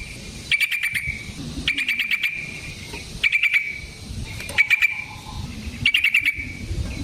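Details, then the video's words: Yellow-vented bulbul (trucukan) in a long fighting song used as a lure for other bulbuls: short bursts of four or five rapid chattering notes near one pitch, repeated every second or so, with faint background hum. "Burung TRUCUKAN GACOR Ropel Panjang Cocok untuk PANCINGAN Trucuk bahan dan MASTERAN Burung Trucukan"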